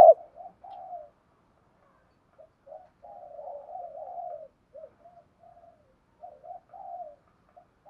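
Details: Spotted dove cooing, used for stimulating and training decoy birds: soft, broken low coos and murmurs spread through the recording, with short pauses between phrases and a brief loud note at the start.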